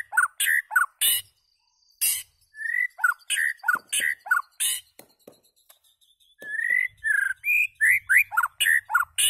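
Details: Lively song of a white-rumped shama: fast strings of liquid, falling whistles punctuated by crisp clicks, one phrase after another with only a brief break midway.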